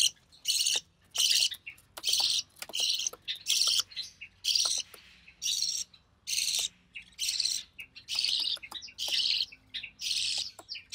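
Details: Budgie chick, recessive pied, born early June 2020 to a white recessive pied father and albino red-eyed mother, during feeding by the mother; rhythmic hissy high bursts repeated roughly every second, about a dozen in a row.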